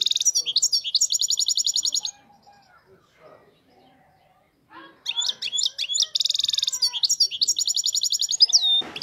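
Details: European goldfinch, described as a wild-type bird with a faultless song, delivering rapid bright tinkling and buzzy high notes for two seconds, then a quiet gap with faint low murmurs, before a longer run of fast twittering phrases resumes.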